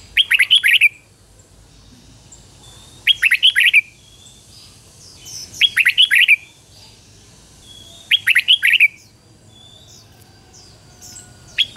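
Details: Red-whiskered bulbul song from a decoy bird meant to attract wild birds: four clear bursts of quick, rich warbled notes spaced about two and a half seconds apart over a quiet background.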